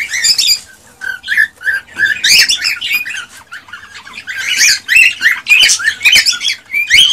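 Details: ['Male cockatiel singing excitedly to stimulate a female to breed. Lower short chirps repeat in a quick series, then give way to louder, scratchy warbled squawks.']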